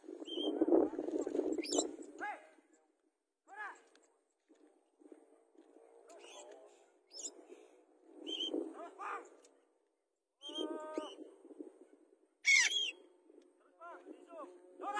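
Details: A white-capped parrot (Pionus senilis) flying free alongside a sun conure gives harsh, nasal squawks and shrill screeches in short bursts, with a human voice early on.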